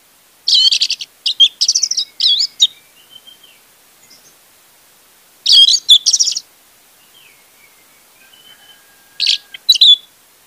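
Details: An orange-headed thrush, played as a lure to prompt silent orange-headed thrushes to sing, sings three bursts of rapid, varied, high chattering phrases about four seconds apart, with soft whistled notes in the pauses.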